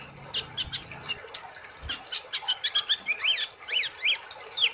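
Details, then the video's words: Olive-backed sunbird chattering in gacor nembak style: fast chirps and quick up-down twitters grow denser toward the end, with a low hum audible in the first second. "Terapi kolibri Ninja ( konin ) Gacor Ngobra Nembak"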